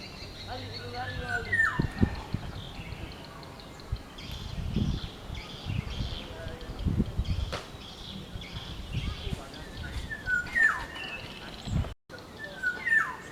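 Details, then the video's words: Black-naped oriole, Oriolus chinensis, heard in the wild: three separate fluty whistles, each sliding steeply downward, spaced several seconds apart, over low rumbling background sounds and soft high insect-like chirps. "Kicauan burung kepudang kuduk hitam di alam"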